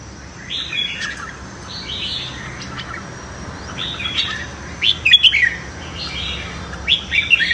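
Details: Competitive morning singing of red-whiskered bulbul, used to stir newly caught birds; scattered whistled phrases over a steady hiss, louder clipped chirps appearing late.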